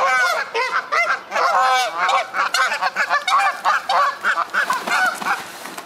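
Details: Geese locked in a feud, fighting and flying aggressively: a steady barrage of loud, harsh, nasal honks, rapidly repeated and overlapping, briefly pausing then resuming in quick choppy bursts.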